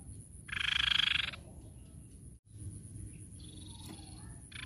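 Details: Grey-cheeked tit-babbler singing, a recording used to lure other birds: one loud rattling pulsed burst lasting under a second, then a brief faint high note and the start of another burst, over a steady low background rumble.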